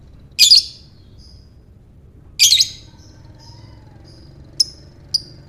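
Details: Shrill lovebird in ngekek style, used to set off other lovebirds: two strong raspy chatter bursts two seconds apart, followed by faint thin whistles and two short sharp chips.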